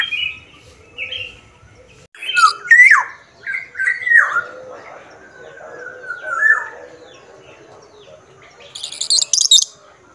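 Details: Black-naped oriole from Sumbawa singing vigorously: a run of fluty whistled notes, some sliding down, others rising and falling, with higher chirps from other birds near the end.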